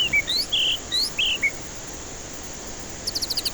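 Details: White-rumped shama song used as a lure for stressed birds reluctant to sing: loud clear whistled notes, some rising, some falling, in quick succession, then a short fast series of high clipped notes near the end.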